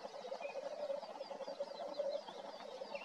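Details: At night in Svinndal, Norway, on 27 April 2019, a male black grouse gives a steady, low, dove-like bubbling that rolls on without a break, with faint higher chirps from other birds behind.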